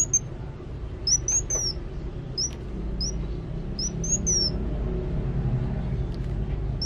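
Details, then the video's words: Van Hasselt's sunbird singing actively: thin, high whistled notes, some slurred upward and some falling, given in short bursts about once a second over a steady low rumble. "Kolibri Wulung Gacor"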